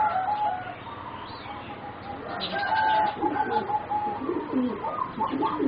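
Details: Young competition-bred singing zebra doves, four birds about 3.5 to 4 months old, give soft cooing phrases: level whistled notes near one pitch, broken into a fast bubbling trill toward the middle, with overlapping coos from other doves and faint background noise.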